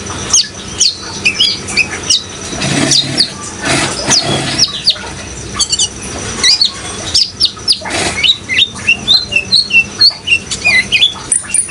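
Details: Kolibri ninja sunbirds, immature speckled and green-plumaged birds, give thin high twitters and quick squeaky chirps, densest in the later seconds, over a constant wash of flowing water.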